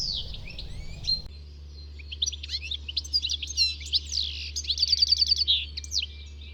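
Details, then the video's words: European goldfinch (Carduelis carduelis) singing a rapid, liquid jumble of high tinkling notes and twittery trills, with a low steady hum underneath throughout. "Chant CHARDONNERET ÉLÉGANT"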